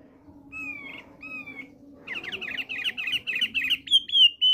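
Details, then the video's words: A male thick-billed white-eye opens with two long, thin whistles before breaking into rapid, buzzy chattering that speeds up and ends on bright, sharp whistled notes. A faint low hum runs underneath. "OPIOR PARUH TEBAL JANTAN LAGI NGOCEH"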